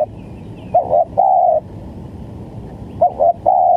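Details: Spotted dove used as trapping bait, cooing twice: each phrase is a brief hiccuping pair of notes leading into a drawn-out level coo, separated by about two seconds of quiet.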